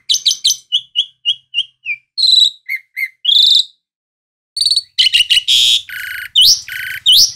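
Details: Asian pied starling (jalak suren) singing a loud, varied sequence: quick clicking notes, a run of short whistled chips, then harsh buzzy bursts and rising whistles. Silent gap midway; no other sounds.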